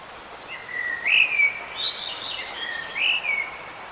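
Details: Bird song in the rain: two warbled whistled phrases about two seconds apart, each rising then falling, with some high twitters between, set against constant rain hiss.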